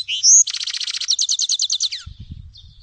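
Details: Rapid, high, liquid twittering from a Grey-headed goldfinch (Carduelis caniceps): an upslurred whistle opens into a dense rattling trill of repeated notes lasting about one and a half seconds, then a short buzzy tail over faint low rumble.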